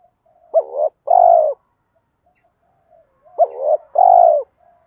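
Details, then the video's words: Caged spotted doves, cock and hen, cooing to stimulate lazy birds to call back. Pairs of soft low notes, a short rising one then a sustained coo, repeat about every three seconds over quiet murmurs. "giọng chim cu gáy thúc gù dồn ép bổi lười gáy ức chế phải gáy theo"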